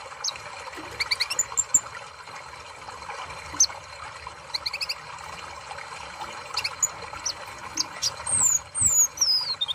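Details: Kolibri ninja sunbird, used as sound therapy for a bird that is slow to sing: scattered thin, high squeaky notes and clicks, ending in a burst of rapid, shrill descending whistles, with constant low hiss throughout.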